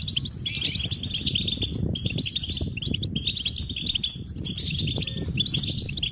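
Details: High, tinkling goldfinch song of fast twitters and slurred chirps in bursts separated by short gaps, over a continuous low rumbling background.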